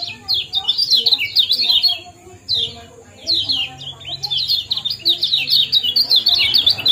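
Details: Lemon-bellied white-eye ciak-ciak and jos calling used to bring birds into breeding condition: two long bouts of rapid, high, squeaky twittering separated by a quiet second.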